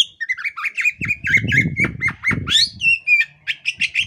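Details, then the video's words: Female Oriental magpie-robin in breeding condition, displaying with tail spread, said to prompt males to display, gives a quick run of scratchy, squeaky notes and short rising whistles, about four a second, over low thumping noise. "kacer poci betina birahi ngobra buka ekor"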